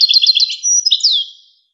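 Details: European goldfinch song from a recording used to train young goldfinches and hybrids to sing: rapid high twittering notes in quick succession, then a sustained trill and a clear descending whistle fading out.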